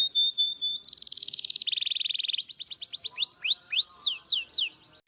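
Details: Canary song meant to train other canaries: a buzzy high trill, a rolling pulsed section, then a run of clear falling whistled sweeps slowing toward the end.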